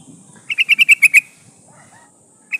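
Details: Female sooty-headed bulbul in breeding condition calling for a male, played to lure wild birds: a rapid run of seven even, sharp chattering notes, then a pause and one more note starting at the end.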